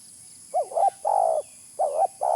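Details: Spotted dove cooing, used as a lure: a rising then dipping double coo, a long even hollow note, then the double coo repeated and a further note beginning.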